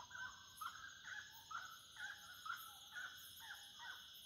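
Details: Wood rail calling at the start of night: strong, evenly paced two-part notes that rise then drop, about two each second. A steady insect trill sounds behind the calls.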